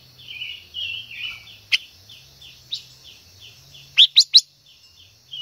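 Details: Female silver-eared mesia singing to excite a male, giving soft, wavering whistled phrases, then a run of quiet descending notes broken by a few loud sharp chips, three in quick succession near the end; faint low hum.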